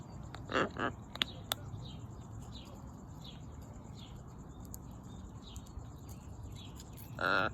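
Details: Scarlet macaw outdoors while eating nuts: two harsh, broad squawks near the start and another loud raspy squawk at the end, over steady high chirping from other small birds or insects and a low background hum.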